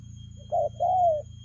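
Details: Single spotted dove phrase in the fast 'lèo gù' cooing style: a brief coo followed by a longer note sliding gradually downward, over a low hum.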